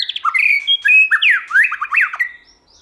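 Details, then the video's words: White-rumped shama singing in many voices, used to stimulate and train shamas to sing and flick their tails; quick varied whistled phrases with slurred rising and falling notes and sharp chirps, then fading to quiet. "Kích Chòe lửa hót nhiều giọng, Căng lửa, chòe lửa đánh đuôi kích cực nhạy.luyện chòe lửa hót hay"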